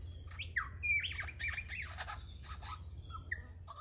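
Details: A lyrebird mimicking the songs of other local birds pours out a rapid jumble of varied whistles, squawks and slurred notes, one borrowed phrase after another, over a low steady hum.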